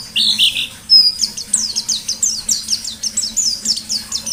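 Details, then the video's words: White-eye song from a lively wild-type bird: a couple of buzzy notes, then a fast even series of high, short downslurred chirps, about four per second, over a faint low hum. "Burung Pleci Gacor Ngalas Nembak || Pancingan Pleci Ngalas"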